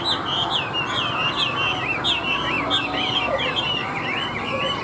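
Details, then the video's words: Hand-tamed Chinese hwamei in a cage set on a table, singing a fast stream of looping, warbled whistles in short repeated phrases, bright and continuous over low background noise. "Họa Mi Hót"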